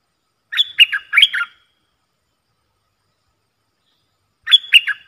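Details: Decoy recording of a Streak-eared bulbul for luring birds: a short, lively burst of several chirping, warbled notes, then silence before the same bubbly phrase starts again near the end.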